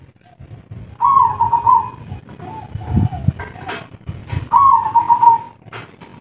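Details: Spotted dove, local wild bird, kuk 3 style, described as agitated: two long steady hooting coos separated by softer murmurs, with low rumbling background noise.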